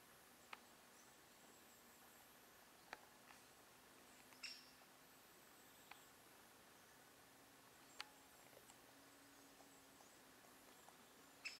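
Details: Great spotted woodpecker (Dendrocopos major) in a forest, recorded 21 October 2024, giving sharp, single 'kik' notes spaced a few seconds apart, fairly faint against a quiet hiss of forest background.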